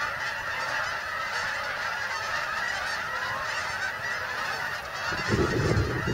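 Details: Continuous massed honking of migrating geese arriving at a Delaware refuge, Bombay Hook, USA; near the end a low rumbling burst, like wind or handling noise, rises under the flock's steady chorus.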